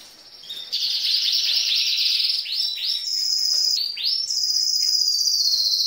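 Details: Green female canary singing like a male, a song said to stimulate males; fast rolling trills and sweeping high notes, some notes held flat, ending in a long steady high trill.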